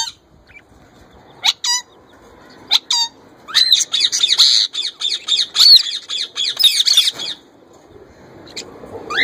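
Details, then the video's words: A young male plum-headed parakeet trying to talk and copy a ringneck parrot's voice gives sharp high squawks, then a long run of rapid chattering notes. "Plum Head Male trying to Talk & Copy Ringneck Parrot voice"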